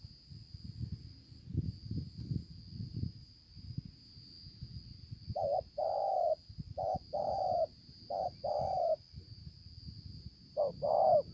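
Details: Wild-caught spotted dove with a fine neck pattern, recorded in Konlong on 5/9/2020. After five seconds of low rumbling, it gives paired low coos, a short note then a longer one, over a steady high whine.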